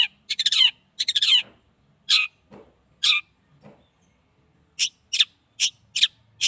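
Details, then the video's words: Young caged long-tailed shrike, eight months old, sunned for the first time, gives scratchy chattering bursts with quick downward sweeps, a quiet gap, then a row of short, sharp, separate notes about every half second. "cendet paud 8 bulan..jemur perdana"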